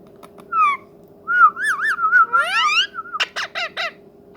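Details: Talking ringneck parrot giving a wavering, warbled whistle that runs into rising squeaky notes, then a burst of harsh repeated squawks, over a faint steady background hum.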